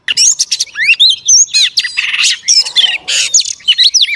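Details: Female Oriental magpie-robin singing to stimulate males: a dense, rapid run of varied whistles, upslurred chirps and short buzzy notes, with almost no pauses throughout.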